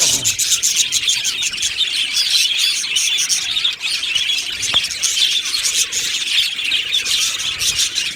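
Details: Happy budgerigars in an aviary colony, a dense, continuous high chatter of overlapping chirps and warbles from many birds, with one sharp click near the middle.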